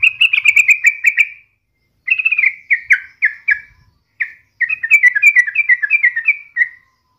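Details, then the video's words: Sooty-headed bulbul singing energetically, played daily to spur other bulbuls to sing: clear, slurred whistled notes falling in pitch, delivered in quick runs of about three per second with brief silent gaps between phrases. "KICAU SUARA trucukan gacor ini COCOK BUAT PANCINGAN HARIAN agar burung trucuk gacor & rajin bunyi"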